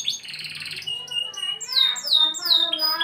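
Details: Canary song used as training for young canaries: a dense trill giving way to clear sweeping whistles that slide downward, repeated about every third of a second, with strong harmonics and a steady background hiss.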